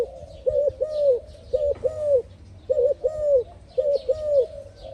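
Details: Spotted dove cooing in a rural setting, described as singing beautifully: low, arched, hooting coos in paired bursts, each phrase repeating about every one and a half seconds, with faint chirps of small birds overhead.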